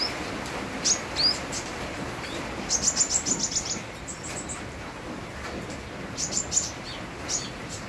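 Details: Sunbird in active song with the sound of rain: a few high chirps, then a rapid chirping series, then a pause and another short burst of piercing high notes. Continuous rain hiss fills the background.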